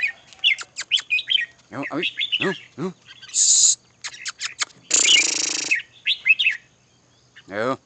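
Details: Red-whiskered bulbul singing short, quick whistled chirps and slurred notes in scattered bursts, broken by loud bursts of broad hissing noise and a few low, harmonic voice-like calls.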